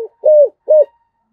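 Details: Spotted dove singing in the 'giọng thổ' cooing style, two clear low arched coos with a short pause between them and no other sounds.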